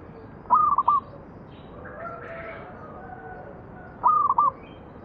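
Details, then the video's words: Zebra dove of local stock, cooing as a lure to prompt other doves to sing. Two rolling coo phrases of quick stepped notes sit three and a half seconds apart, with a faint murmur between them. "PANCINGAN BURUNG PERKUTUT MANGGUNG"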